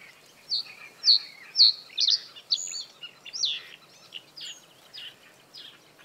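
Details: Male common reed bunting singing from reed stems over water through the breeding season, defending territory; a run of evenly spaced chirps with a slurred note, followed by scratchy twittering from other birds in the reeds.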